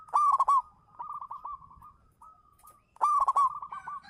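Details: Zebra dove, a local champion lure singer: a loud stuttering coo burst opens, then soft rolling notes follow and fade, and a second loud burst with trailing notes arrives about three seconds later.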